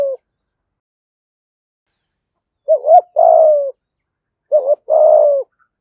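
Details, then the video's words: A decoy spotted dove delivers its full 'giọng thổ' style song. Two repeated phrases, each a brief rising double note and then a long, rough, gently falling coo, separated by a short gap, with no other sounds. "Chim Cu Mồi Giọng Hay/ cu gáy giọng thổ đủ bài"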